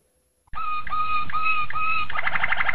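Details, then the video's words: Malinois Waterslager canary singing a training song for young canaries: after a short silence, a row of clear low whistled notes repeats about every half second, then breaks into a bubbling, rolling trill. "Malinois Waterslager Canary Training Song Master"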